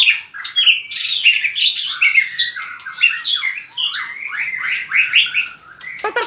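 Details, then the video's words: Competitive fighting song (hót đấu) of a white-rumped shama: a busy, unbroken sequence of bright whistles and downward-slurred notes, fairly even in volume, closing with a sudden harsh burst. "Luyện chòe lửa hót đấu/luyện giọng chòe lửa/kích lửa shama bird"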